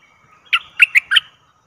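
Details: Decoy bulbul luring a very old wild bird, August 2021: a short phrase of four bright, chirped notes with slight upward and downward slides.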